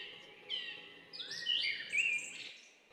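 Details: Bulbul vocalising in a soft, clear warble of short whistled notes that rise and fall, ending in a brief looping phrase, against a quiet background.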